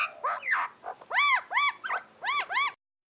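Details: Australian magpies in a group warble: loud, rich, arched yodelling notes, each rising then falling, given in pairs with short rough gurgles between them.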